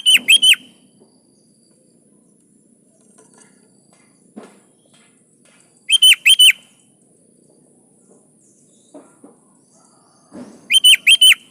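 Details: Sooty-headed bulbul (kutilang) in full, lively song: three bursts about five seconds apart, each a quick cluster of three or four loud, rich, bubbling whistles, with faint rustling between.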